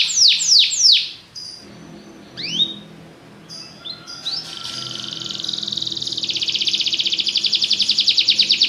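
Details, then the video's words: Belgian canary giving a few loud falling whistles, then scattered short chirps and rising notes, building into a long fast trill that grows steadily louder to the end. "espetacular canto canário belga"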